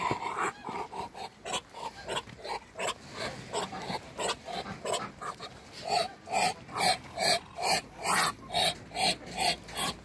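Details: Muscovy ducks, three together at a farm, give a long run of soft, breathy puffs, slow and uneven at first, then a steady louder series of about two to three huffs per second.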